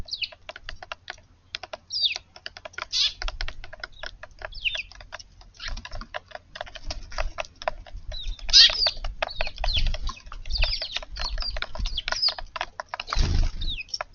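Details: Several Eurasian tree sparrows at a garden feeding spot on a March 8 morning; busy overlapping chirps and short twitters, with some low thumps and handling noise underneath.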